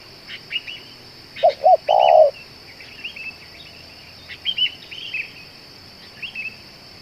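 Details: One cooing phrase from a spotted dove said to keep calling for two hours and to suit luring: two brief rising notes and a longer rough coo, followed by scattered high chirps of small birds and a steady whine.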